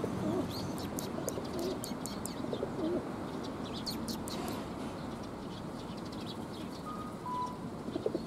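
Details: Sparrows gathering around a person at a Tenmangu shrine on the afternoon of 13 March 2020; quick bursts of short, high, sharp chirps crowd the first half, over a steady low rumble, with low wavy cooing tones in the background.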